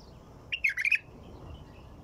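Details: White-eared bulbul giving one short, bubbly phrase of about five quick, warbled notes that dip and rise, lasting under half a second against a quiet background.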